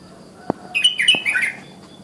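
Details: Morning call of a wild sooty-headed bulbul, used to get other bulbuls singing. Two sharp clicks, then a rapid run of bubbly, warbled notes that slur downward, over faint background noise.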